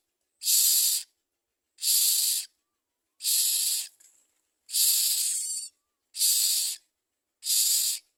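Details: At a common myna nest with food being brought to the young, six harsh, breathy hisses of about half a second each come at intervals of over a second, with a faint thin whistle after the third.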